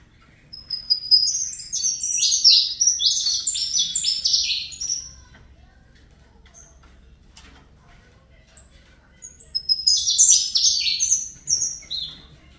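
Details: A captive-bred juvenile Saffron Finch sings two fibra bouts: a four-second jumble of fast, high chirps and trills, a long quiet gap, then a second shorter burst of similar notes.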